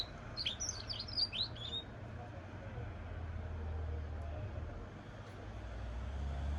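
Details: Short burst of bright, tumbling twittering from a goldfinch × canary hybrid, lasting under two seconds, followed by quiet with only low traffic-like rumble.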